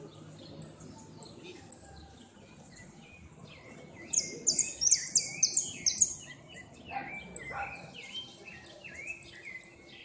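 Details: Saffron finch singing in the repique style at a 2016 northern-zone singing competition, where it took second place: rapid, buzzy high notes repeated about twice a second in a burst midway, with other finches chirping around.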